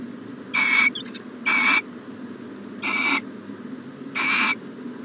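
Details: Hissing, noisy screeches from an owl at its nest box, recorded on the morning of 14 January 2020. There are four short rasping bursts, with a faint high squeak between the first two, and a constant low hum behind them.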